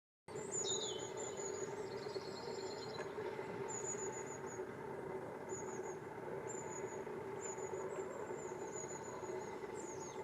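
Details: Long-tailed tit giving very high, thin, wavering see-see notes, a few slurring downward, repeated every second or two over constant loud rumbling background noise.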